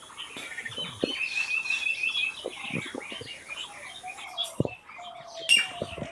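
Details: Birds singing in nature, a buzzy high trill early on, then scattered chirps and twitters, with a few drawn-out falling whistles and knocks toward the end.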